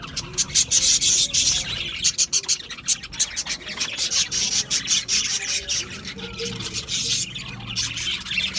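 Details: Loud, busy budgerigar chatter: rapid scratchy chirps and squawks packed closely together, about three per second, with a few higher whistled squeaks mixed in.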